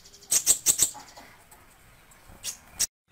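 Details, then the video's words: Sunbird known locally as kolibri ninja, singing for song tutoring: a fast run of four sharp, very high chirps, then a quiet pause and two more isolated high notes before the sound cuts off. "Suara Burung Terbaru 2020 - Kolibri Ninja (Konin) Cocok Untuk Masteran"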